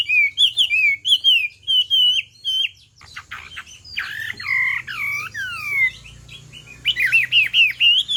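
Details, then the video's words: Chinese hwamei singing as a female urges the male on: fast repeated whistled loops, then a jumble of buzzy and slurred notes, ending in quick rising-falling whistles about twice per second. "Hoạ Mi Hót Rả Rích Nghe Cực Thích/ Tiếng Chim Hoạ Mi Hót Kích Bổi Nhanh Sổ Giọng"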